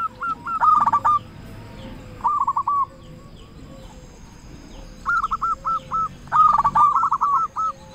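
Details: Local zebra dove in full song, recorded as lure material to get doves singing; several clusters of short, clipped coos, some fast and rolling, others spaced, with faint background hum.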